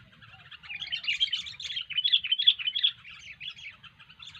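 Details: Sooty-headed bulbul (kutilang) singing gacor, energetically: a dense, continuous run of fast, high chattering and warbled notes with uneven loudness swells, against a faint low hum.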